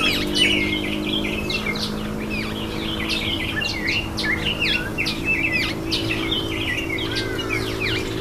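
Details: Indian myna taking a bath: a dense stream of sharp chirps, short whistled slurs and rising and falling notes, overlapping without pause, over a steady low hum.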